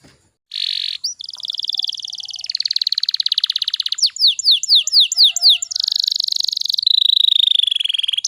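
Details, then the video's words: A canary sings continuously as a lure so young canaries begin singing: buzzy high rolls give way to rapid rattling trills, a series of loud swept notes, then a dense high trill. "PANCINGAN KENARI BAHAN AGAR CEPAT GACORR"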